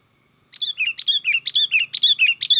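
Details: Sooty-headed bulbul, lively 'gacor' song used to attract other bulbuls for trapping: after silence, a rapid, unbroken string of clear whistles alternating high and slightly lower notes, about a dozen in two seconds.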